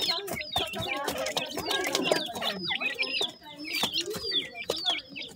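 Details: Newly hatched grey francolin chicks calling for their mother: many quick, high, thin chirps and short rising peeps, densely overlapping, with some speech-like sounds in the room.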